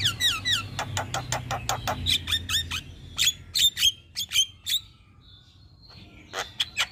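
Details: Javan myna song from a captive bird, recorded to stimulate others: a fast rattle of clicks and falling whistles, then bright separate whistled notes spaced about half a second apart, then a brief quiet gap.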